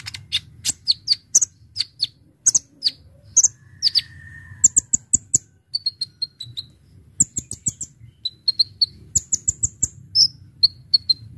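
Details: Konin, the Brown-throated sunbird, in vigorous full-variety song used as a lure. Steady rapid high chirps, one long flat whistle, then tight runs of ticking notes and short series of clear high whistles.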